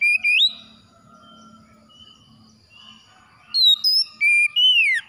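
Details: Oriental magpie-robin singing in the morning. Loud, clear whistled phrases with sharp rising and falling slurs open the clip, then a quiet gap with faint softer warbles, then a fresh burst of bright whistled notes and downward slurs.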